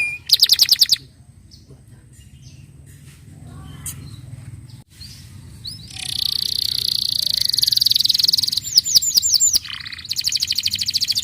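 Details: Canary song played to encourage other canaries to sing; brief loud trill bursts separated by a quiet stretch with faint distant chirps, then a long high buzzy trill and quick swooping notes.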